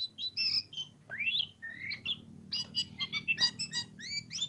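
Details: Energetic oriental magpie-robin song mixing pure upslurred whistles with a fast sequence of bright, clipped chirping notes, delivered without pause over a low droning hum.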